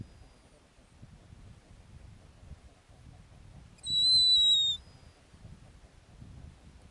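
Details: Female snowy owl on the nest in the Arctic gives one clear, high whistle of about a second, slightly falling, after several seconds of near silence.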